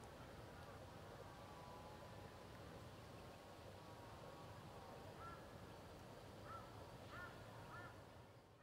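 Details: Male Australian wood duck (maned duck, Chenonetta jubata), recorded 10 July 2011, giving soft, nasal, rising mewing notes, a few in quick succession near the end, over a steady low rumble of background noise.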